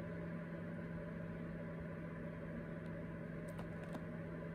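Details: A steady low electrical hum fills the room, with a few faint clicks near the end and no animal voice.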